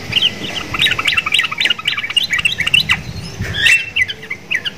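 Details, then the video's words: Sooty-headed bulbul in a cage, a lively singer said to mimic neighbouring Javan mynas, pours out a dense run of quick chirpy, slightly squawking notes almost without pause, with faint low rumble beneath. "TRUCUKAN GACOR !!! MENTALNYA SEPERTI JALAK KEBO"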